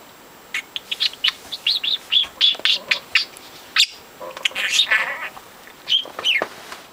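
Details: Pet budgie, four months old, chattering continuously: rapid sequence of short high chirps and clicks, with warbled and buzzy syllables mixed in and a falling whistle near the end.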